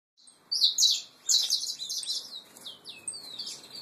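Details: Pure Peruvian-type saffron finch nestlings, kept birds: high, thin chirps and buzzy trills in quick bursts, loudest early, then quieter repeated twitters.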